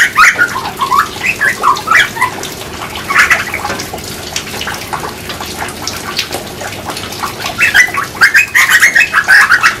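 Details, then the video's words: Grey butcherbird singing: clusters of clear whistled notes between low and mid pitch, some rising and some falling, come in bursts with short pauses. Dense clicking and rustling sounds run throughout the background. "Singing Birds (Grey butcherbird)"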